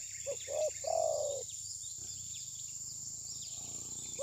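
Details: Trapping decoy spotted dove that would not strike at its rival, possibly in molt, phone recording: a single coo phrase of two quick soft notes followed by a long mellow coo, then quiet with a thin insect drone.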